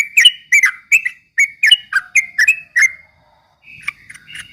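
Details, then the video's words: Yellow-vented bulbul singing in the rapid 'ropel' style, used as a lure to provoke rival birds: a fast run of bright, chirpy, slurred notes, then a brief pause and a softer, buzzier closing phrase. "kicau suara trucuk ropel memancing emosi lawan"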